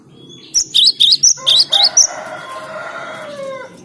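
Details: Cinereous tit singing, a recording meant for luring birds: seven quick, high, ringing notes in a rapid row, then a lower drawn-out tonal sound lingering for about two seconds.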